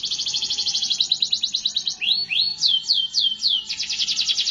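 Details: Rapid canary trill of high repeated notes, then rising and falling slurred whistles, followed by another fast trill; continuous, unbroken song.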